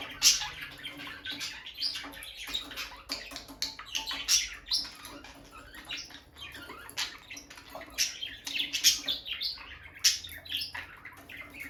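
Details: Bonded peach-faced lovebird pair, captive, by their nest box: loud continuous chatter of shrill chirps and scratchy squeaks, closely packed with no real pauses.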